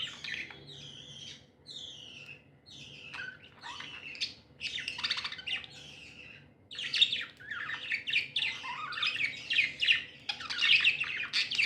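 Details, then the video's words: Tame budgies chirp happily in a lively stream of descending whistled slurs and scratchy warbles, the chatter growing denser and louder in the second half. "Happy budgies chirping sounds"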